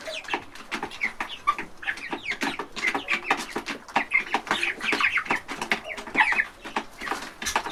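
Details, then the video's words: Chicks at a feeding trough in a large chicken house on a farm: continuous crowded peeping, sharp high chirps and clucks packed closely together, with feeding clatter between calls. "Baby Chickens Eating From A Trough Sound Effect"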